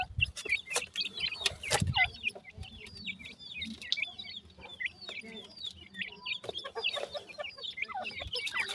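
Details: Grey francolin chicks calling for their mother: busy, overlapping high chirps and short rising-falling squeaks, several per second, with scattered sharp clicks and knocks and a low hum underneath.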